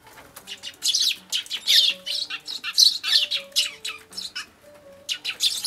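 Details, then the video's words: Squabbling sparrows that fight while flying up, 5 January 2013: dense, rapid run of harsh high chirps and squeaks, bursts tumbling over each other almost continuously, with brief pauses near the end. "雀が舞い上がって喧嘩 Sparrows fight flying up"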